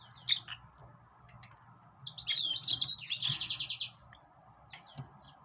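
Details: Yellow-fronted canary song: a lively twittering phrase of high varied notes running into a fast even trill, with sharp chips before and after and a low droning background hum.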